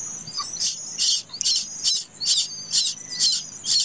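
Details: Harsh, raspy hisses from a plaintive cuckoo chick that hatched late, repeated steadily about twice per second over faint thin high whistles.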